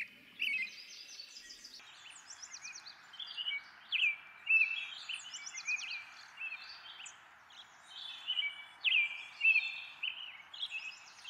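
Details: American robin singing: short whistled, slurred phrases repeated about every second, with other birds chirping at a higher pitch in the background.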